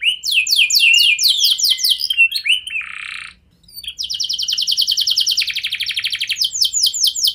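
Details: Canary song played as a lure to prompt other canaries to answer: fast high descending sweeps, a brief pause, then a long dense rolling trill followed by more sharp downward notes.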